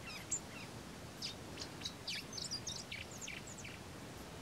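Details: A rusty-collared seedeater (Sporophila collaris) sings at Estación Los Tres Gigantes in the Paraguayan Pantanal: a fast, varied run of high chirps and short sweeping whistles over a steady background hiss.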